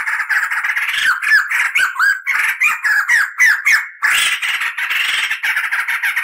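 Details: White-crested laughingthrush, a tutor track for song training, giving long rolled song: rapid scratchy chattering mixed with short slurred whistles, repeated about three to four times a second, then a steady harsh rattle.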